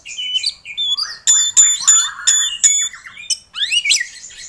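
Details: White-rumped shama lure song, meant to prompt a stalled captive bird to sing: scratchy buzzy bursts repeated about three times a second, mixed with thin high whistles and a rising sweep near the end.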